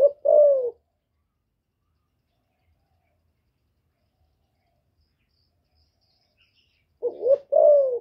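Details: Female spotted dove cooing to stir newly kept males: soft hooting two-note phrases at the start and again about seven seconds later. Each note rises then falls, with long quiet gaps between the phrases.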